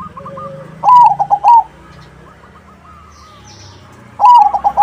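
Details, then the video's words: Crossing-type zebra dove singing actively, used to lure other doves into answering: loud cooing phrases, an opening drawn note then quick throaty pulses, heard twice; fainter doves answer between them with short repeated notes. "Suara Burung PERKUTUT CROSSING Gacor, Paling ampuh untuk pancingan -Semua perkutut nyaut."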